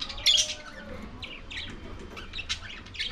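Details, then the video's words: Lovebirds feeding on corn, giving short harsh squawks and high chirps, one loud burst near the start followed by scattered shrill notes, with steady low background hum. "Love birds sounds |eating corn"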